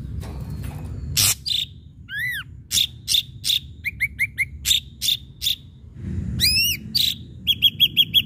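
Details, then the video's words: Ashy drongo in vigorous varied song, played to provoke other birds: harsh bursts, a down-curving whistle, quick chip series, a ringing arched note, and a closing rattle of rapid chips. "srigunting abu abu gacor PANCINGAN"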